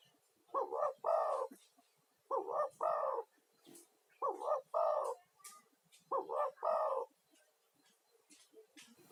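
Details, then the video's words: Spotted dove, a vocal male lure caller whose voice is said to calm stressed caged doves and draw in wild ones: four low, hoarse three-part coos, each a short note then a longer rolling one, repeated about every two seconds. "SUARA TEKUKUR GACOR UNTUK TERAPI"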